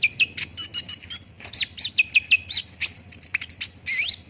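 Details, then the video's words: Olive-backed sunbird song meant to make a bird respond and sing fast: quick series of high chirps and short downslurred whistles, several repeated notes in a row, energetic and unbroken. "PANCINGAN KONIN CEPAT RESPON BIKIN CEPAT BUNYI DAN GACOR"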